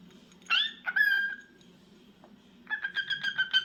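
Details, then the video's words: A cockatiel gives a rising whistled call, then a steady held note, then a quick run of six short repeated chirps, over a low background hum. "Adorable Cockatiel Crazy Bird 🐦 Cute Sounds n Movements"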